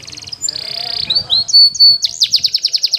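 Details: Canary training song meant for young birds learning to sing: a buzzy high roll over faint low murmuring, sliding whistles and a held note, then a quick run of evenly pulsed high chips.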